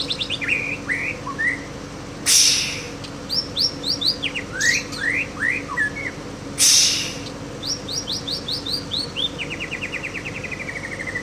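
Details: Aceh white-rumped shama singing in imitation of a canary, delivering quick bright upslurred whistles, a fast descending trill near the end, and repeated loud harsh bursts between phrases, against a constant background hum.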